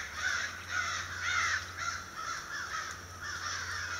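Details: A group of crows cawing loudly in February 2012 around a cedar tree visited by a downy woodpecker; harsh, overlapping caws repeat roughly twice a second, with a faint low hum underneath.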